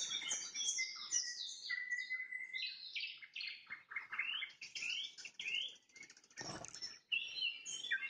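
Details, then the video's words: Evening nightingale song at sunset: a varied stream of whistled slides, rapid trills and clipped notes, with one broad rustling burst late on. "Пение соловья на закате, соловьиные трели"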